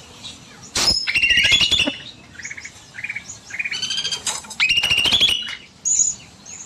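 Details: Bulbul singing long and actively in an aviary in the evening: short high chirps and bright trilled notes, mixed with loud bursts of wing flapping.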